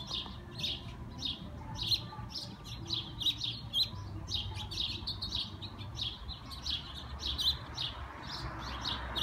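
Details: After hours of heavy rain, as the storm cleared, sparrows perched in a persimmon tree chirp in a busy flock: short bright notes tumbling over one another almost continuously, over a low background rumble.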